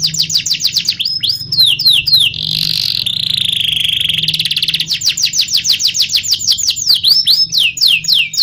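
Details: Lively canary song in 'ngerol nembak' style: quick rolling series of high down-slurred whistles, a stretch of buzzy rattling tones in the middle, then more rapid swooping notes, with a steady low hum underneath.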